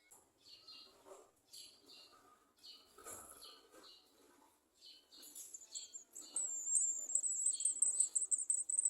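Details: Olive-backed sunbirds in a garden, searching a small jar for insects to feed their young, give thin, high chirps at an irregular pace, then a loud, steady, buzzy trill running unbroken through the last few seconds.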